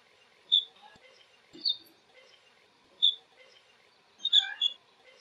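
Blue-cheeked Bee-eater giving short, rolling, high chirps in flight, spaced irregularly about a second apart.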